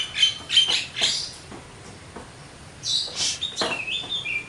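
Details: Javan myna (jalak kebo) singing actively with full varied material, a few high whistled notes and harsh rasping bursts separated by short pauses, with a quieter gap in the middle.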